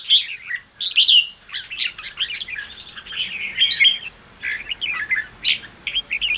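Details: Red-whiskered bulbul 'ché' song used to make newly caged wild birds sing out: a fast stream of chirped, slurred and trilled notes with brief gaps over about six seconds.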